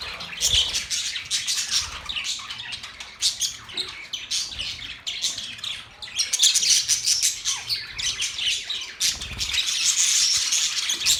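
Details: Budgies chatter continuously in busy overlapping bursts of high buzzy chirps and squeaks, growing denser and louder toward the end.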